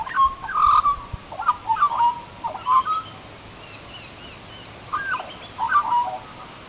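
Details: An Australian magpie perched in a small tree warbles in two bursts of fluty, gurgling notes that slide and waver in the low-middle register, separated by a brief quiet pause.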